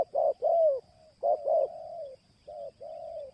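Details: Short run of spotted dove cooing for luring: a pair of rounded notes into a long sliding coo, then another similar phrase trailing off, and a softer double note at the end.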